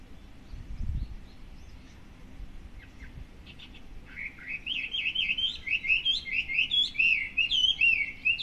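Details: Chinese Hwamei singing every morning from a garden hedge in front of a house in Japan, hidden from view; after quiet opening seconds with a low thump, loud rich whistled phrases start, quickly repeated, varied, rising and falling notes and twittering trills.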